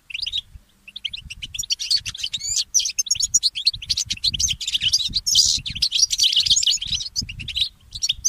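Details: Morning song of a goldfinch mule hybrid: a long, unbroken run of fast high twittering and buzzy trills that grows denser toward the middle, with faint low thumps.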